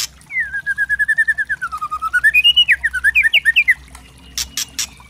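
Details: Trotol white-rumped shama pancingan song to provoke birds: a long rapid train of mellow repeated notes dipping then rising, breaking into twisting slurred phrases, with clicking at the end.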